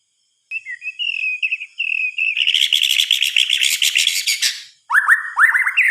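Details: White-rumped shama singing at night: a thin warbled trill first, then a fast buzzy rattling chatter for about two seconds, ending in strong upslurred whistles.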